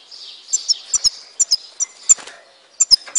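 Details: A goldfinch from Tizi Ouzou, Algeria, mixing a thin high warble with crisp, sharp tinkling notes in quick irregular pairs and triplets.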